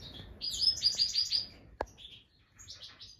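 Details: A Black siskin, around the time of its first egg, gives a quick run of five high, bright chirps, then a single sharp click and a few thin twittering notes.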